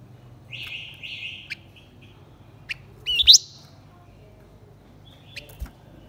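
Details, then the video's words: Decoy song of a male and female blue-winged minla, sung to provoke wild birds: two smooth whistles, a few thin notes, then a loud, rapid, rising trill, and a last short whistle with a tap. "Chim khướu lùn cánh xanh hót mồi kích bổi trống mái quá đỉnh."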